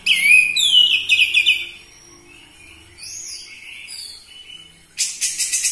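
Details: Loud lure song of an orange-headed thrush, used to stir captive birds to sing. It opens with rich, quickly repeated whistled notes that slide downward, then thin high whistles, and ends with a harsh buzzy rattle.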